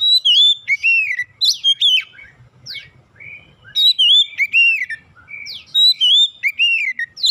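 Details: Oriental magpie-robin song played as a lure to get untrained magpie-robins singing quickly: rich whistled phrases with rising and falling slurs and sharp downward sweeps, in two dense bursts separated by a short quieter gap, faint low rumble beneath.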